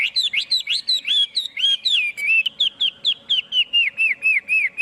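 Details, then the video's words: Chinese hwamei song without background noise: varied fluty notes opening into a long, steady run of similar whistled notes, about four per second, falling slightly in pitch. "Tiếng chim hoạ mi hót"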